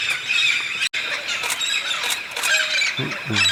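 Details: Big flock of red-spectacled parrots in the Santa Catarina highlands of southern Brazil, there each year for araucaria pine nuts; harsh massed screeching with loud squawks, a brief dropout and a lower, voice-like sound near the end.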